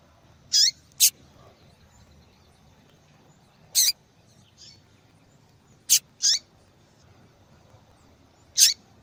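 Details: Female seedeater calling often, the kind of female call heard in breeders' calling tournaments: sharp high chips, some paired, spaced one to three seconds apart, with a faint softer note between and low background hiss.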